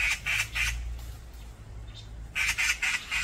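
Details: Brown-eared bulbuls fighting in a chaotic group brawl give harsh, shrill squawks in quick bursts of three or four, with a pause between bursts, and a low rumble underneath.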